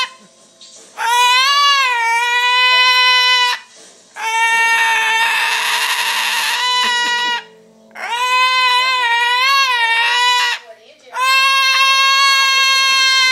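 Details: Pet cockatoo squawking as its owners walk into the house; loud, harsh, harmonic screeches repeated in long bursts with short gaps, and a person squawking back in the middle.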